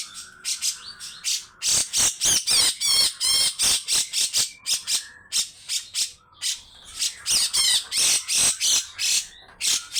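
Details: Extended harsh 'besetan' calling from a grey-cheeked bulbul. It opens with a brief whistle, then gives about three scratchy, chattering squawks per second, with a short lull midway.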